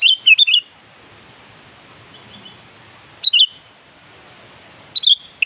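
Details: A sooty-headed bulbul sings to summon a rival: a burst of several liquid whistled notes, then two shorter phrases about two seconds apart, with a faint distant twitter and soft hiss behind.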